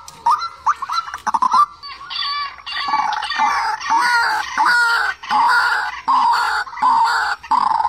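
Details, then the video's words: White-breasted waterhen call used in trap loudspeakers to draw birds in: a few quick rising notes, then repeated loud, grating croaks of roughly half a second, one after another. "Tiếng chim QUỐC TƠ ( mặt lem)"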